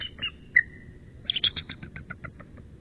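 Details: Bald eagle pair calling at midnight in March while the male incubates: a thin whistled note, then a quick descending series of short piping chitters that slow toward the end.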